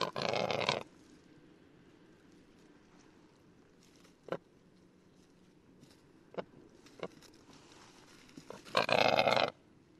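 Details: Lithuanian male western capercaillie in song: a harsh scraping burst opens, then sparse sharp clicks spaced a second or two apart, ending in another loud rasping, hissing grinding phrase.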